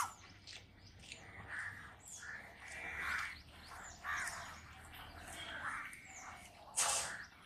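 Asian koel giving mid-pitched, rising calls about every second or so, with sparrow-like chirps and a sharp squawk from other birds.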